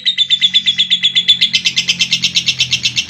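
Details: Lovebird giving a long 'ngekek' trill, a natural unedited recording used as a master track to prompt young and adult birds to trill: fast, high, even chattering notes repeated steadily, slightly quickening, over a low background hum.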